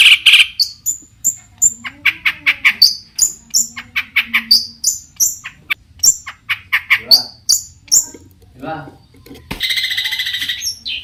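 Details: Varied song of a long-tailed shrike that provokes other shrikes to reply: high thin whistles mixed with sharp chips and scratchy notes, ending in a loud harsh rasp.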